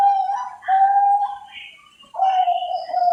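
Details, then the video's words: Zebra dove of the Bangkok type kept by breeders in Cilacap, Central Java: drawn-out low cooing phrases with slight wobbles, broken by a short quiet pause before the cooing resumes. "SUARA PERKUTUT BANGKOK DARI BERBAGAI PETERNAK"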